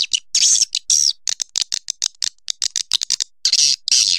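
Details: Swiftlets produce short high buzzy twitters alternating with quick clicking notes, a busy irregular rhythm.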